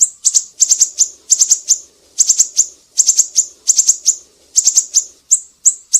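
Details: Active Black-naped Monarch, used to tutor songbirds, uttering sharp, high squeaky chirps in fast bursts of three to five, each burst about half a second apart, with a faint low murmur underneath.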